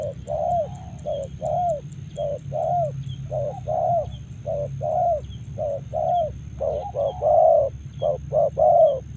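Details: Spotted dove recorded in Karawang repeating brief, mellow coo notes nearly every half second, some in quick doublets, against a steady low hum and a faint high whine.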